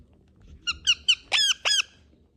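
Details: Indian ringneck parakeet calling: five short, bright, nasal notes in quick succession, the last two longer and sliding downward, over faint low background hum.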